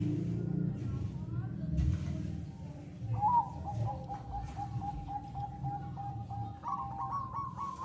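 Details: Zebra dove (Bangkok perkutut) song meant to raise breeding condition: faint start, then from the middle a steady run of short, clear, mid-pitched cooing notes repeated quickly, ending with a slightly higher trill, over a constant low hum.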